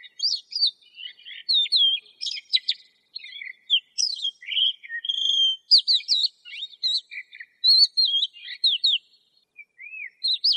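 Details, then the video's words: Lark pours out a varied, jumbled song of quick warbles, trills and upslurred whistles, with short gaps between phrases near the end. "تغريد طائر قبرة الحقول(القوبع) Chant de Alouette des champs"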